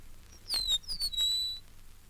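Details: Eastern Meadowlark, a male of the grassy fringes of Mountain Lake Sanctuary, Lake Wales, Florida (1970 record), gives his far-reaching call heard across his broad territory: a brief run of clear, high whistles, each sliding downward, over quiet background.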